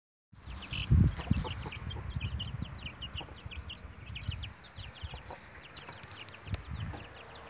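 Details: Chickens at night, giving low soft clucks and murmurs with a few louder notes early on, over a steady background of many high short insect-like chirps.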